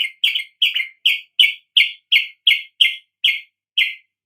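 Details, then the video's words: Sooty-headed bulbul song meant to stir other birds to sing, given as a steady series of about eleven short, harsh chirps spaced evenly through the clip. "coba Pancing dengan kicau TRUCUK ini agar NGEPLONG"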